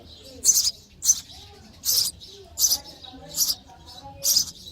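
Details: Sparrow babies calling for food in the nest while fed, a series of six rough, hissing high chirps about one per second, some slightly longer and drawn out.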